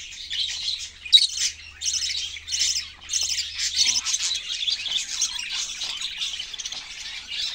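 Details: Continuous high chatter of budgerigars: chirps bunched into short bursts early on, then merging into a dense, overlapping warble.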